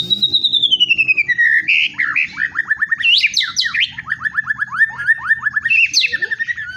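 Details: White-rumped shama in full song: a long clear whistle sliding downward, then rapid runs of short repeated downslurred notes, interspersed with sharp high rising flourishes, with a low hum underneath.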